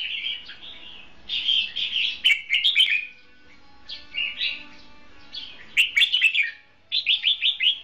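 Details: Decoy red-whiskered bulbul singing competitively at a trap: repeated bright warbling phrases with quick chirpy note runs, separated by short pauses, a rapid series of five clipped notes at the end; faint low hum behind.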